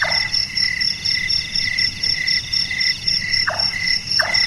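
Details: Night-active large-tailed nightjar (burung tukang) gives three short, dropping knock notes, one at the start and two near the end, against dense shrill cricket trilling.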